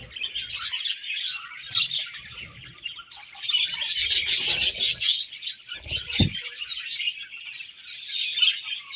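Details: Overlapping budgerigar chatter in breeding season, bright chirps and warbles swelling and fading, with a brief low thud near the end.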